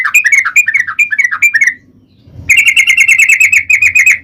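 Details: Sooty-headed bulbul singing, used as a lure to make other bulbuls sing: a descending series of rich, bubbling warbled notes, a brief pause, then a fast continuous run of rolling chirps.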